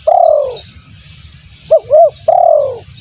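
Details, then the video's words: Used as a lure for doves, this spotted dove call opens with a long coo sliding downward, then two short hooked notes, and ends with another drawn-out falling coo. "suara pikat tekukur bagus untuk pancingan"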